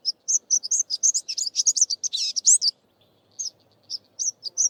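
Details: Greater Double-collared Sunbird, an Eastern Cape (South Africa) garden bird, giving a rapid, high, twittering string of thin chips and jumbled notes, pausing briefly before resuming with scattered sharp chirps.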